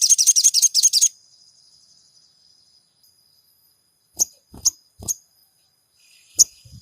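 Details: Crimson Sunbird (sogon) singing as a lure to excite caged birds: opens with a one-second burst of rapid, shrill pulsed trilling, then a quiet gap and four sharp high chips with light knocks, steady thin whine throughout.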